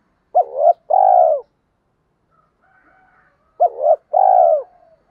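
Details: Two low spotted dove coo phrases about three seconds apart, each a quick hooked note followed by a longer sustained coo. The calls come from a mix of hen and cock voices meant to stir decoy birds for training.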